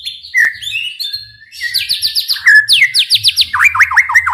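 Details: White-rumped shama song used to provoke other shamas into singing: a long whistle, then fast runs of falling slurred notes repeated about four per second, ending in rising chirps.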